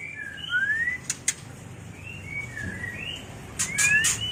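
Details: White-rumped shama mating call made of smooth rising and falling whistles, broken by crisp high clicks, with a louder pair of upslurred whistles near the end.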